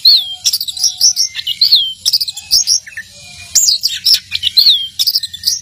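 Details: Loud, energetic song of an orange-headed thrush: clear looping whistled phrases and sharp chirps repeated in quick succession, with a few soft lower whistles between bursts.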